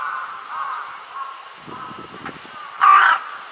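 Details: A juvenile carrion crow on 10 June 2020 gives softer, scratchy nasal notes, then near the end one loud, hoarse caw that sounds urgent, as if pleading, over faint low background rumble.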